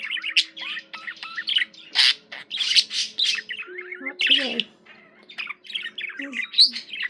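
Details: Pet budgie chattering continuously, mixing buzzy squawks, quick chirps and short whistled slurs, over low sustained background music tones.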